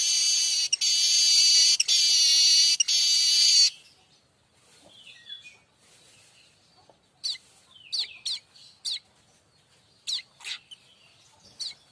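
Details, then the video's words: Streaked weaver tutor song for oriental magpie-robins and white-rumped shamas: three loud, harsh buzzing blasts, then a pause and scattered sharp high chip notes. "Manyar kembang dor untuk masteran burung kacer &murai batu anda"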